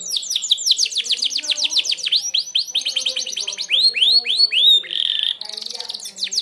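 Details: Merlok canary's sharp 'tembakan' song for training other birds: loud, rapid series of downswept whistled notes, slowing into broader arching slurs, then a brief buzzy trill and renewed high chips.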